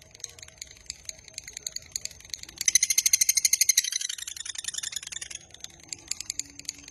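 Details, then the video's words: Long 'ngekek' trill of a lovebird, meant for training and luring other lovebirds: faint scattered chips, then a loud fast chattering burst lasting over a second before it fades back to soft ticks. "Suara MASTERAN Burung LOVEBIRD Ngekek Panjang Paling Cepat Dan Ampuh Untuk Memancing"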